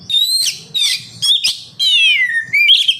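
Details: Oriental magpie-robin singing as a lure for captive birds: a few loud whistled phrases, including a long descending slurred whistle, over a faint low hum.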